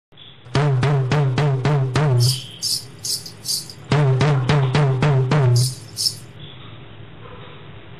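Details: Loud drum music plays in two bursts of rapid, evenly spaced beats with a few cymbal-like hits, and no animal voices are audible.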